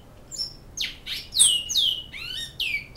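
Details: In Canoas a Great-billed seed finch sings in the Flauta style, giving a few loud, ringing whistles that sweep down steeply, some doubled, separated by short pauses.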